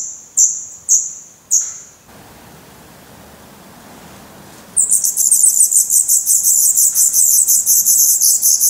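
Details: Black redstart nestlings recorded at close range in Portugal in May: three separate thin, high, sliding notes, a few seconds of quiet, then a sudden burst of shrill, rapidly pulsing chorus.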